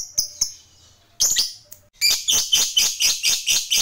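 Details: Lovebird fighter chattering to provoke rivals: a few sharp high chips and a short burst, a pause, then a run of loud buzzy, evenly spaced pulses.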